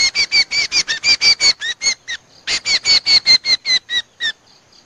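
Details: Lure sound of Common Iora used to draw birds to trappers: a fast, even series of about twenty ringing whistled notes, some dropping slightly in pitch at the end, then a soft fading tail.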